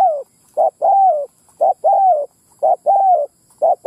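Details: Vietnamese spotted dove lure call to attract wild males and females: about four low cooing phrases, each a short note followed by a longer descending coo, repeated roughly once a second.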